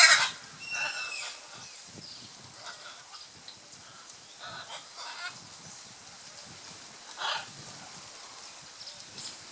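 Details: Scarlet macaws in courtship display at Playa Blanca, La Palma, Osa Peninsula, Costa Rica: a loud harsh squawk opens, followed by scattered raspy calls and a rising-falling nasal note, with quieter gaps between.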